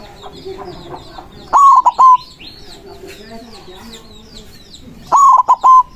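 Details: White zebra dove song used to lure and call rivals: two loud phrases of quick stuttered coos about three and a half seconds apart, with busy twittering from other birds.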